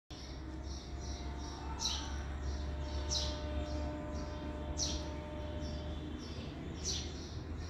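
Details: A baby sparrow chirping for its mother gives sharp, high chirps in uneven bursts, about one every second or two, over a steady low rumble.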